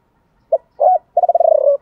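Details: Spotted dove, male or female, cooing to stimulate other doves: a short hoot, a longer coo, then a rapid rolling trill lasting about half a second.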